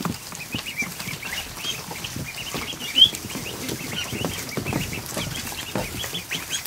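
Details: Over 100 just-hatched ducklings in a kiddie pool inside a barn during the afternoon, a quieter steady stream of high, brief peeps from many birds at once, one louder chirp near the middle.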